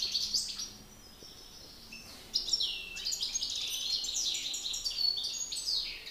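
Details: European goldfinch singing contest between two males: a thin sustained note and soft chirps give way to a loud, fast jumble of twittering, buzzy trills and metallic notes.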